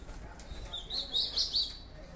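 An Ultramarine grosbeak gives a brief, high warbled phrase of quick sweet notes lasting about a second, over a quiet, faintly noisy background.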